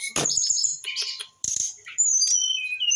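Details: Young brown-chested jungle flycatcher, eight months old, giving a busy mix of harsh rasping notes and thin high whistles, breaking off briefly before a run of descending whistled phrases.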